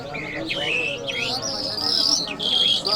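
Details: Iranian jal lark song labelled Mashhadi mast: sliding whistles dropping in pitch, followed by long sustained high notes, over a soft background of people talking.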